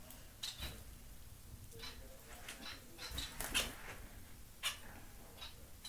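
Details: Two pet society finches, a white fawn pied male and a white chocolate pied female, in their new flight cage give short high thin chirps scattered irregularly among soft rustling, tapping and fluttering.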